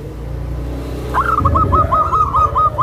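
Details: Tame zebra dove with a soft voice, kept to draw out other zebra doves and to settle newly acquired birds; after a quiet first second, a quick run of about eight short, even cooing notes over a steady low engine-like hum.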